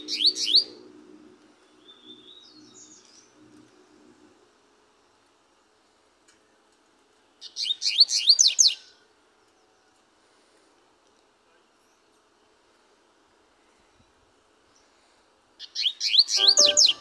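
Double-collared seedeater singing short, bright bursts of rapid high twittering notes, separated by long pauses.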